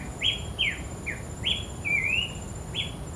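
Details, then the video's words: Abbott's babbler singing actively in the wild: clear whistled notes, some rising and some falling, repeated about every half second, one longer wavering whistle mid-sequence, over a faint steady high insect hum. "Burung Pelanduk Semak Gacor Di Alam"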